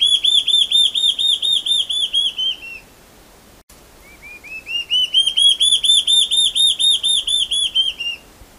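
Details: Large-tailed antshrike (bujara) delivering two bouts of loud, ringing whistles, each about a dozen arched notes at a steady pace, the second bout opening with lower notes that quickly rise, separated by a brief pause.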